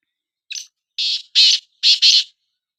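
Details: Calling black francolin, part of a contest between two francolins: one thin harsh note, a pause, then two pairs of strident rasping notes, the full phrase about two seconds long in silence.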